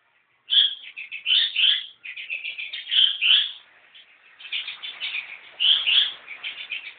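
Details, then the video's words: Freshly caught Long-tailed Shrike producing extended scratchy, jumbled chattering, loud rasping phrases alternating with softer twittering passages. "kicau pentet anyaran"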